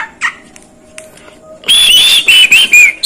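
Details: Asian pied starling, called jalak kebo, a bird that copies other birds and human speech; quiet clicks and a thin tone, then loud shrill warbled whistles with quick pitch wobbles.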